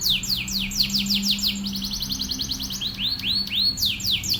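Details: Canary training song meant for other canaries: quick runs of falling sweeps, then rapid upward rolled notes and slower arched chirps, over a faint low steady hum.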